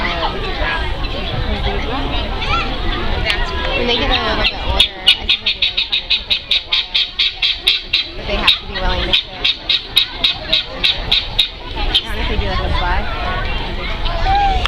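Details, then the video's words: Guineafowl give a harsh, rapid rattle of clipped cackling notes, about four or five a second, over several seconds, at Columbus Zoo's Heart of Africa on 7-10-14 as giraffes walk by; Portuguese voices and background chatter are heard before and after. "Noise of Guineafowl"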